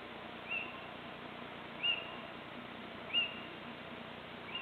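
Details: Little owl calling on 26 March 2014, short high upward-flicked notes repeated roughly every one and a half seconds, fairly faint against a steady hissing background.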